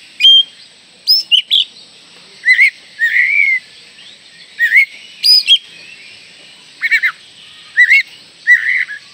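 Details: Oriental magpie-robin song played to spur young birds into singing: a steady series of short whistled phrases, sharp upward chirps and warbled slurs, repeated about every second.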